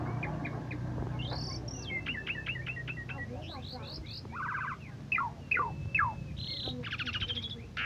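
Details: Asian pied starling that won first place at an Independence Day contest, giving rapid repeated chips and whistles, then a rattling burst and strong up-slurred notes, ending in a harsh buzzy phrase, over low hum.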